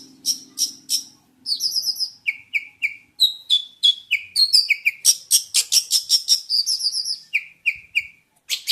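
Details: A Jentet bird sings a varied song: whistled notes repeated in threes, dropping to lower pitch, then a fast run of sharp ticks and chirps and more repeated whistles.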